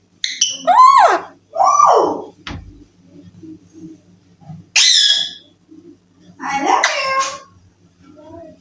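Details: Baby Alexandrine parakeet kept indoors as a talking pet, said to say "I love you": two arching nasal calls, a sharp click, then a high harsh squeal and a final burst of rough chatter.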